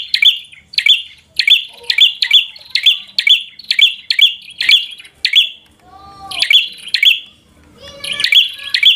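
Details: Bar-winged prinia in fighter mode, meant to agitate a rival: rapid sharp chirping notes repeated roughly twice a second in steady runs, a short pause near six seconds with a soft lower whistled slur, then the chirping resumes.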